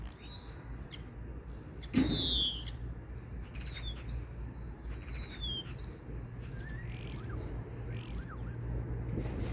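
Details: Common starling chattering with a mix of thin high whistles, short descending squeaks and a loud sharp click, the notes scattered irregularly over a low background hum.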